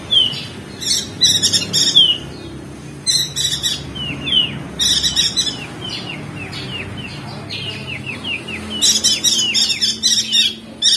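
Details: Crested white-eye, Lombok NTB, singing ngeriwik as a training recording: harsh rattling bursts alternate with strings of quick descending whistled notes, sometimes five or six in a row, across several phrases.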